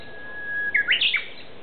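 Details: Japanese bush warbler song from woodland in Aoba-no-mori Park's ecology garden; a held whistled note followed by a sharp, rapid, rising-and-falling phrase of clear notes.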